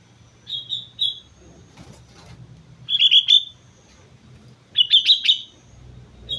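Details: Sooty-headed bulbul on Mount Slamet singing short, separate phrases of bright, bubbly whistles spaced a couple of seconds apart, over a quiet low background rumble.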